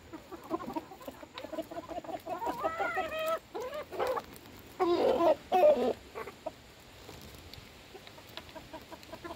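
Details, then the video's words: Chickens at feeding time, soft clucks building to loud, drawn-out, slightly wavering calls with several harmonic-rich notes, then a few quieter clucks. "alimentando mis gallinas"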